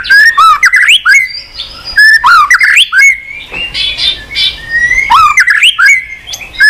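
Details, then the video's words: White-rumped shama in a cage, flicking its tail and singing on and on when stimulated. Bursts of rich warbling with sharp rising sweeps alternate with quieter gaps holding a faint hiss. "kích chòe lửa hót cực bền.hót liên tục , tạch đuôi sàn cầu kích là hót.chòe lửa hót nhiều giọng lạ"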